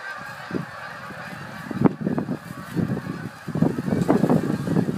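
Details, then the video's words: Canada geese calling in fall in Northern Illinois: a loud, busy chorus of overlapping low honks, a few sharp louder ones standing out, building toward the end against faint steady background noise. "Canadian Geese - signs of fall in Northern Illinois"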